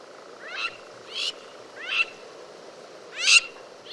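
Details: Crowned lapwing, also called crowned plover: four harsh, strident, ringing notes with a buzzy edge, given singly at uneven intervals of roughly a second, over a faint steady background hiss.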